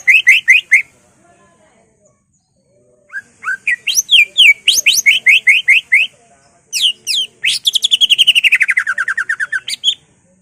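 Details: Provocative greater green leafbird song full of imitated phrases: quick high chirps, then a run of repeated upslurred notes about every half second, ending in a long trilled cascade sliding downward.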